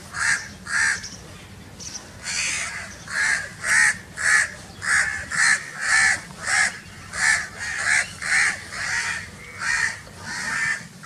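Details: Crow birds calling very loudly, a long quick sequence of short, raspy caws repeated almost twice a second after a brief hesitant start.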